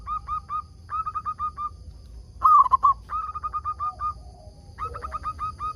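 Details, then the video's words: Local zebra dove used as a lure to make wild doves reply; trains of quick repeated mid-pitched coos in several phrases, one louder stuttering burst in the middle, and a fainter lower dove calling near the end. "Perkutut lokal gacor RAJA PIKAT ini ahlinya bikin semua burung perkutut gacor nyaut"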